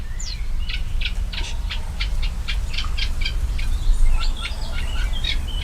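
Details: A Great Reed Warbler sings a quick series of harsh, croaking notes with a few higher squeaks over low wind rumble, from dense reedbed in the marsh of Urdaibai Biosphere Reserve, Spain, on a humid, warm evening, 4 May 2020.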